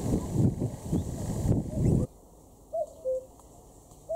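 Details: Common cuckoo at the north-eastern edge of Berlin in May 2017 gives one clear falling two-note cu-coo, then the start of another, after loud thumping handling noise.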